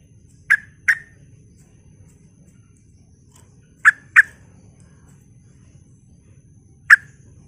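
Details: Sooty-headed bulbul lure recording meant to provoke other bulbuls: short, bright, bubbly notes, mostly in pairs, with long silent gaps between bursts over a faint low hum.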